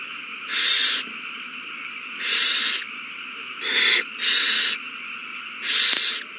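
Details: Owls at a nest during a prey frenzy after a mouse is found and passed to a mate, 21 March 2020; five harsh, broadband hissing screeches, each about half a second long, spaced irregularly over a steady background hum.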